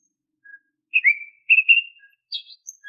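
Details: Kacer (Oriental magpie-robin) whistled song, used to coax untrained caged birds to sing. A faint low note, a falling slurred whistle, then paired warbled whistles, followed by soft scattered high notes. Background otherwise silent.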